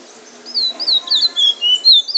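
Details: Trinidad bullfinch, a chestnut-bellied seed-finch, delivering drawl and wheet drawl song: a short run of sweet, high whistled slurs, each sliding downward, at a steady lively pace, the last notes sharper and louder.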